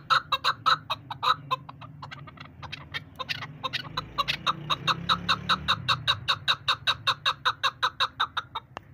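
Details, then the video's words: Female chukar partridge used as a hunting decoy, repeating rapid clucking chuck notes that speed up into a long, even rattling series of roughly forty notes, over a low rumbling hum. "new hunter bird sound shikari chakor Awaz keklik sesi"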